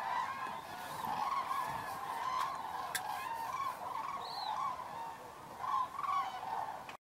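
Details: Common cranes gathering at an evening roost at Federow, Germany, in October 2018: loud overlapping trumpeting from many birds, one higher rising call standing out midway, ending abruptly.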